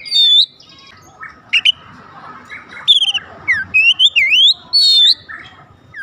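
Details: Oriental magpie-robin song meant to set other magpie-robins singing: sharp whistled notes and zigzagging slurred phrases in uneven bursts over a soft hiss of background noise.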